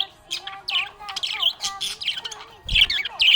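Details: A happy budgerigar chirps in a dense, fast warbling chatter of high squeaky notes and short rising and falling twitters. A brief low thump is heard near the end.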